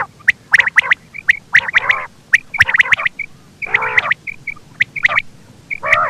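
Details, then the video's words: Quail giving rapid clusters of sharp, clipped notes mixed with longer raspy, nasal bursts, the calls tumbling irregularly over a faint low rumble. "Quail sound effect /Batair ki Awaz 2023 /Batair ki boli"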